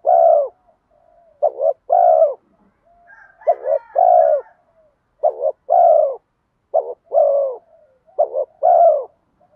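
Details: Decoy spotted dove giving its bronze-voiced lure coo to attract wild doves. Repeated phrases, each a clipped double note and then a longer falling coo. Some faint higher chattering is heard near the middle.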